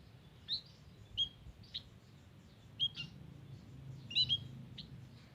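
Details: White-headed munia in a garden, used as a lure: about eight sharp, thin, high peeps spaced irregularly, including a quick double note, with a quiet low hum behind.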